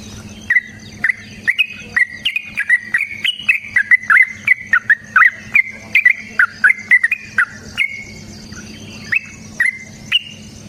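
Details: Sooty-headed bulbul singing the fighting-style long rapid song used as a lure: a long chain of crisp slurred whistled notes, about three per second, thinning to spaced notes toward the end.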